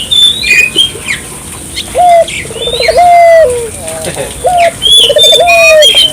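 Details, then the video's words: A lively Barbary dove used to prompt local doves into calling, delivering a short rising note, then a rapid stuttering coo ending in a long drawn tone, twice, while other birds whistle and twitter higher up. "suara burung puter gacor,merangsang burung puter lokal ikut gacor"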